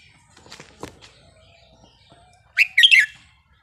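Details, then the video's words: Red-whiskered bulbul singing a wild-style song of the counted-phrase line; after faint low rustles, one loud burst of quick, warbled, whistled notes near the end. "นกกรงหัวจุกสายนับดอก เพลงป่า สำนวนเพราะๆ"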